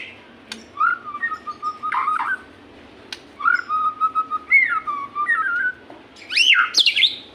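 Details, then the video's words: Song of a white-rumped shama, played to make caged shamas sing: long, level, slightly wavering whistles broken by short chattering bursts, closing with sharp, high, swooping notes. "pancingan burung murai susah gacor.di jamin 💯 gacor murai"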